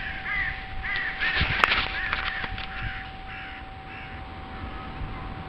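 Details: Crows filmed from ground level caw in harsh, rasping bursts, overlapping in a rapid, uneven chorus, with a steady hum and a sharp click in the background.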